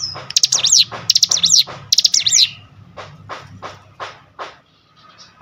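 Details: Cinereous tit singing, provoked by a lure recording: rapid buzzy zigzag trill phrases high in pitch, repeated in quick bursts, then softer clipped notes with a low hum underneath.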